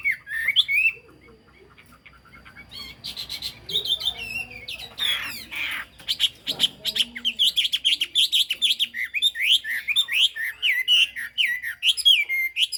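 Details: Chinese hwamei song in the high 'cao cầu' style, opening with a short whistled phrase. A faint, noisy passage with clattering sounds follows, then a long run of rapid, loud, repeated whistled and trilled notes.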